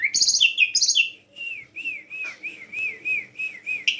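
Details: A black-collared starling suited to luring other birds into song opens with two harsh rasping bursts, then gives about nine evenly spaced arched whistles, ending on a scratchy note.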